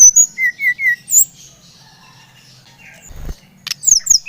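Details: Bali-type brown-chested jungle flycatcher singing to encourage a young bird: four evenly spaced clear whistled notes, a high slurred note, a quiet gap, then a short burst of sharp high whistles.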